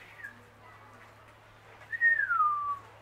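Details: Zoo-kept kea (Nestor notabilis) at Zlín: a short soft whistle, then after a pause a louder pure whistled note sliding down steadily for almost a second, over a low steady hum.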